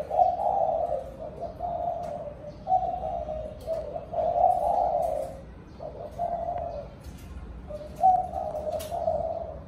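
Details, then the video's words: Spotted dove cooing in the evening to call the flock. Repeated low, soft phrases come every couple of seconds, some clipped short and some longer and rolling, over faint background hiss. "Cu gáy gọi đàn chiều"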